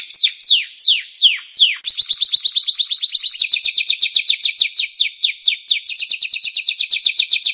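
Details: Canary singing, used as tutor audio for other cage songbirds: a few slower sweeping downslurred notes, then a sudden switch to a fast, even trill of short whistled notes continuing to the end.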